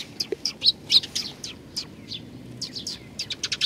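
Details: On 21 June 2020, sparrows visiting a Tenmangu shrine in Nakanoshima, Japan, to be fed give rapid, sharp chirps, several a second, some sliding downward, with faint background murmur.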